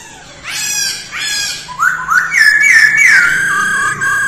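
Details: Masked laughingthrush singing during early-morning voice training: scratchy rising notes lead into a loud, rich run of rolling whistles that tail off into softer whistled phrases.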